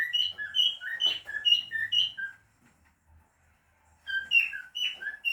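A cockatiel sings a run of clear, warbled whistles that jump between high and mid pitches.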